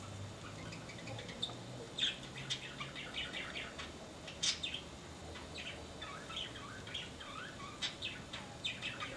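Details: Yellow-crowned parakeet in a private aviary: a steady run of short, bright chirps and sharp rising notes, some clustered and some single, over a faint low hum in the background.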